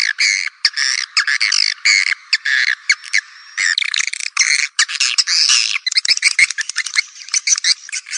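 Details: Calling swiftlets, a sound used for attracting the birds: nearly continuous high, buzzy chattering and twittering, dense stretches broken by short pauses, ending in a quicker run of clipped chirps.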